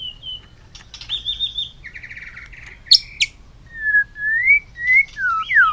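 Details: White-rumped shama in many-voiced long-string song, flicking its tail on a cage perch. It gives a buzzy trilled phrase, two bright high whips, then slow, clear, rising and falling whistles.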